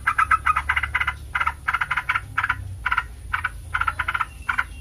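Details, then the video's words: Yellow-vented bulbul recording made to prompt other bulbuls into noisy replies: clustered bursts of fast bubbly chatter, groups of several notes separated by short pauses. "MASTERAN SUPER HANDAL AHLINYA BIKIN TRUCUK NYAUT RIBUT"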